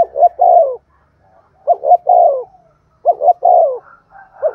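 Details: Spotted dove, a decoy bird, cooing in the Thúc Gù style to draw wild doves. Three low hollow phrases, each two quick notes then a drawn-out falling coo, about one second apart.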